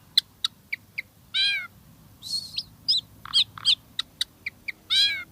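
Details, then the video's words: Asian pied starling song with creative unique phrasing: sharp clicks spaced about a quarter second apart, interrupted by wavering nasal buzzes and warbled chattering notes. "Jalak Suren Isian Tembakan Mewah Gacor Full Isian Suara Unik Kreasi Terbaru"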